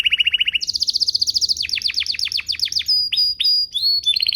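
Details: Canary song used to get other canaries singing, opening with a fast even trill, then a higher rolling tour, a run of steep downward-sweeping whistles and clear sustained piping notes.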